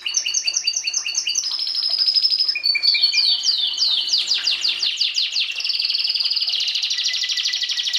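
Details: Canary song of repeated chirps, a steady trill, then a fast cascade of swept notes leading into a dense rolling high trill.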